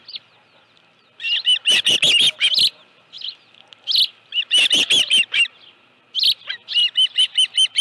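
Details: Osprey calling at its nest with a live fish on 25 July 2018 at 5:23 PM; bursts of rapid, sharp whistled chirps, a brief gap, another burst, then an evenly spaced string of shorter high notes.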